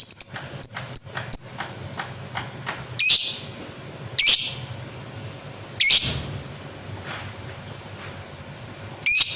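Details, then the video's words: Lovebird in ngekek style, the kind said to set many other lovebirds calling: sharp high chirps in quick runs, then loud harsh bursts about every one and a half seconds, with faint thin chirps between them. "Pasti Banyak Lovebird Ikut Bunyi"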